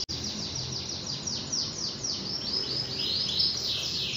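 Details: Canary singing a quick series of high down-slurred notes that flow into a smooth rolling trill, heard against a steady hiss of background noise.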